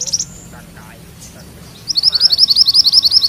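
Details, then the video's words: Mantenan kuning singing its rolling song: after a short high burst and a quiet stretch, a rapid run of high, sharp, evenly spaced notes rolls on steadily to the end. "Suara MANTENAN KUNING ngerol"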